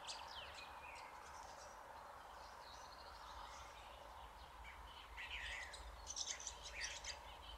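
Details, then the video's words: Red-backed shrike showing off, mimicking the calls of other birds: a quiet, rambling medley of varied chirps, short whistles and scratchy notes over a low steady hum. "Gąsiorek naśladujący głosy innych ptaków"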